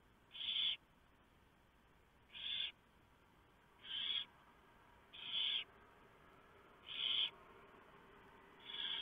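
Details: Barn owls at the nest before dawn, November 3, 2015, as a huge mouse is delivered and torn up for the owlets. Six rasping hiss bursts repeat about every one and a half seconds, fairly loud and uniform.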